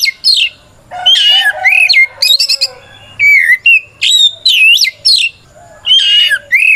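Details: Energetic white-rumped shama song, used as a trigger for other shamas to answer back, full of looping whistles, rapid stuttering bursts and buzzy warbles delivered loud and fast.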